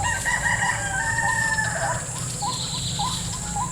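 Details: During lure trapping in a salak orchard, a white-breasted waterhen gives quick hooked, repeated notes in the second half, after some longer higher tones, all over a continuous high insect buzz.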